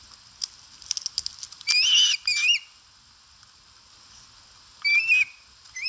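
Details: Osprey at the nest in Satakunta, Finland, 2022, eating; a pair of piercing high whistled calls with rising inflection near the start, a pause of over two seconds, then another two shorter whistles and the start of a fifth.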